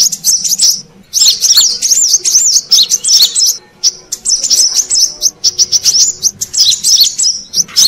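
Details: Lure recording of a brown-throated sunbird: bursts of sharp, high twittered notes, rapid and wavering, broken by brief gaps around one second and near four seconds.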